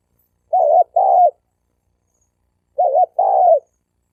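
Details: Male spotted dove challenging other males to fight, 2020: paired coos, each a wavering, broken note followed by a smooth held note, with the phrase repeated after about two seconds of silence.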